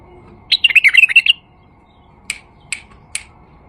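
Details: White-eared Bulbul male, tame, singing to attract bulbuls: one fast chattering-warbled phrase under a second long, followed by three sharp separate clicks or chips.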